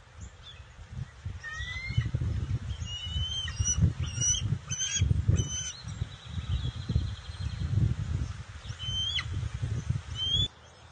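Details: Young bald eagle vocalizing as an adult arrives with a fish on June 22, 2021, high thin chirps and squeaky piping phrases scattered throughout, over a strong low rumbling wind-like background.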